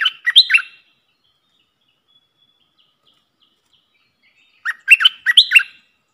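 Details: Trapping lure of a streak-eared bulbul: a burst of sharp, bubbly notes at the start, a long near-silent pause, then another lively chattering phrase of five or six notes.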